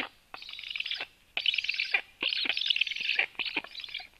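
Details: Female black woodpecker delivering a lot of food at 13:06; loud, harsh buzzing bursts of about half a second to a second, four or five in quick succession with short gaps.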